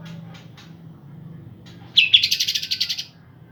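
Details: A pair of green leafbirds singing strongly to stir up birds that have stopped singing: faint chirps at first, then a loud one-second trill of about a dozen pulsed notes.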